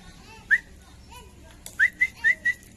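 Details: A cucak emas, kept as a hobby bird, gives one loud rising whistle, then after a pause four quick whistled notes, the last ones held level.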